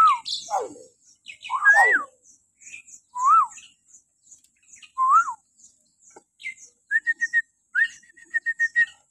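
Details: Morning calls of a common hill myna used to coax captive mynas into calling: loud falling whistles, arched whistled notes, then a quick run of short sharp repeated chips near the end.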